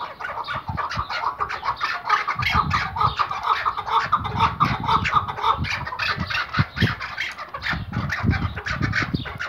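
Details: Tethered Iraqi white hunting Chukar partridge gives a long, hurried series of gravelly chuck notes, roughly two per second, over frequent low thuds and rumbling handling noise.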